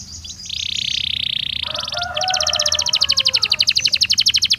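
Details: Belgian canary singing naturally, a sustained bright buzzy trill that switches into a fast, evenly pulsed rattle of sharp notes, about four per second, above a faint low hum.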